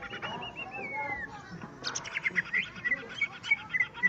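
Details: Greater green leafbird singing at a rival: a long drawn whistle slowly falling in pitch, then a brief pause and a quick series of sharp, bright chirps repeated about three times a second.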